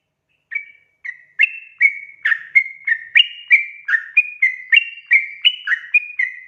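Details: Lively Sooty-headed bulbul song, meant as a lure for untrained bulbuls: after two tentative whistles, a steady string of bright, bubbly notes, some rising and some falling, about three per second, with a clean, quiet background.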